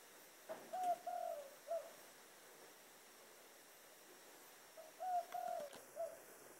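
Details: Low, hollow dove coos in the 'thổ đồng' voice, given as two matching phrases about four seconds apart. Each phrase has three or four notes, the middle ones drawn out. A faint click is heard between phrases.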